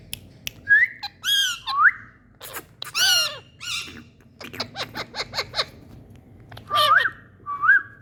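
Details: Indian parrots playing and talking: rising whistled notes and harsh squawks, a stretch of rapid clicking chatter, then two more rising whistles near the end.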